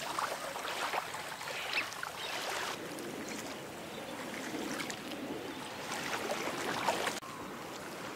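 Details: Rushing, splashing water with shifting hiss and no animal calls.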